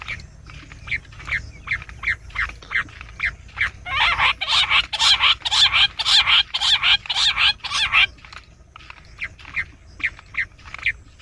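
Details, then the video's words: Bush quail hunting lure call in jungle: short, sharp whistled notes repeated about twice a second, swelling into a rapid, louder burst in the middle before slowing again. "bush quail amazing shikar awaaz"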